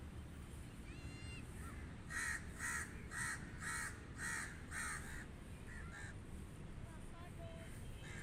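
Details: Crows cawing outdoors: a run of about six harsh, rasping caws in quick succession roughly half a second apart, with faint thin whistles of other birds and a low rumbling background.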